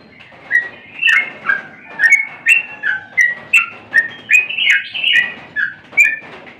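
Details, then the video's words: Yellow-vented bulbul, known locally as trucukan, in energetic full song: a steady run of bright, slurred whistled notes and warbles, repeated roughly every half second, with no other clear sounds. "suara burung Trucukan sedang gacor"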